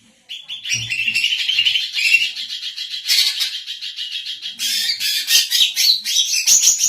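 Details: Female greater green leafbird kept in captivity in Indonesia for training other birds and as a lure, singing a sustained, energetic medley of high twitters, buzzy chatter and quick whistled phrases with abrupt changes.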